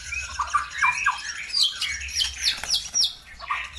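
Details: Bird song played to provoke other birds to answer: loud, varied chattering with sharp descending whistled slurs repeated roughly every quarter second, interspersed with harsher squawky notes.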